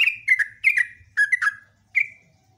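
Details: Sooty-headed bulbul singing loudly: paired and tripled downslurred whistles in quick succession, ending in a single drawn-out falling note.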